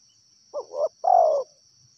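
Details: Close wild spotted dove delivering one clear phrase of two short rising hoots and a longer, gently falling croo, with a thin high insect hum behind.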